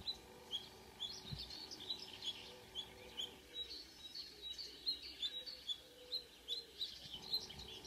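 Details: Early-morning marsh warbler in June near Ski, Norway: a long, rapid, varied warble of high chirps and short buzzy notes, repeated quickly and continuously, over faint rural background noise.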